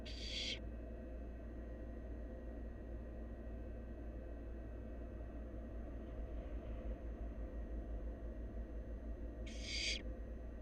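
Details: Two rasping, broadband hiss-screeches, one at the start and one near the end and about nine seconds apart, from a wild barn owl nestling swallowing half a rabbit whole. A constant low background hum runs throughout.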